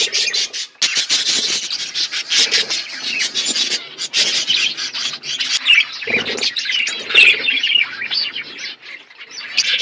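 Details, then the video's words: Flock of pet budgies feeding on winter food in Asia, making loud scratchy chatter and squawks in rapid bursts, with some rustling and clicking among the calls. "Beautiful budgies flocks Budgies parrots winter foods"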